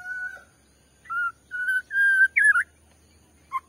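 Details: Lure song of a white-rumped shama for provoking rivals: several long, pure, steady whistles at one pitch, followed by a quick twisting warbled note and a short final chirp.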